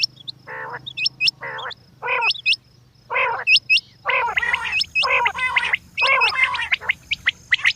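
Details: A female quail repeats short nasal, harmonic calls spaced roughly a second apart with high hooked whistles between, the calling growing busier and more overlapping toward the end over background hum.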